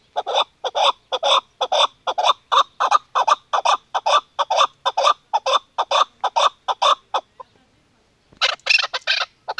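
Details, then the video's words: Female chukar partridge giving a rapid run of dry, repeated chuck notes about twice a second; after a short pause a burst of harsher, higher-pitched notes closes the recording. "keklik sisi chakor birds female madi dasi"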